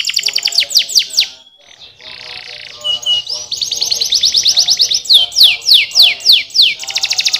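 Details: Canary song with rapid downward-slurred notes, a soft low trill, a long fast rattling trill and a repeated run of loud sweeping notes about three per second.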